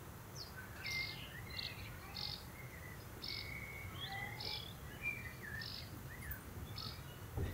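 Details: Common kestrel family, June 2024, as the father prepares food: a run of brief, plaintive drawn notes, about one or two each second, with a soft hum of rural background noise beneath.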